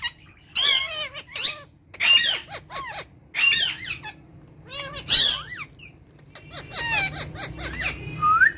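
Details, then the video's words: Three pet ringneck parakeets talk in short, high, chattering phrases with speech-like rises and falls, repeated in bursts every second or two, ending with a sharp squeak. "Ringneck Talking Parrots"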